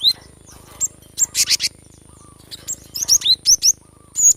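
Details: Cinereous tit singing energetically, recorded to encourage reluctant birds to sing: rapid high chirps and bright downslurred notes in quick groups, with a couple of harsher buzzy bursts, against low constant background hum.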